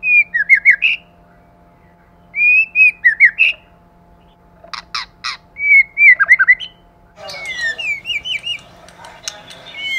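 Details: Male and female white-rumped shama, 'kích lửa' style: short, repeated phrases of slurred whistles, each ending in a higher note. A few clicks come midway, then a busier, noisier stretch of overlapping notes.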